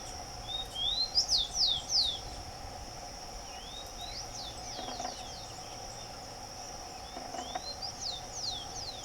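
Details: Rufous-collared sparrow singing outdoors in nature: a rising whistle followed by a few loud, sharp downslurred notes, later softer slurred phrases, over constant high insect buzzing and a low hum.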